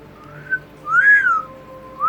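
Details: Double yellow-headed amazon kept as a pet, chatting with its owner: a faint rising whistle, then a loud arched whistle that climbs and falls, and a final upward-sliding note, with a low constant hum behind.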